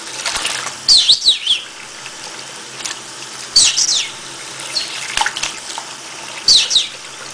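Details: A pet conure bathing under cold running water in a bathroom sink, giving bursts of high, scratchy chitters and short whistles every second or two over the steady hiss of the tap, with some wing flapping.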